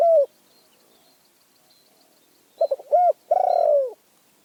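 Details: Spotted dove, Phrae, Thailand: the end of one coo, a quiet gap, then a new phrase of quick stuttered notes, a short coo and a long, pulsed, falling coo.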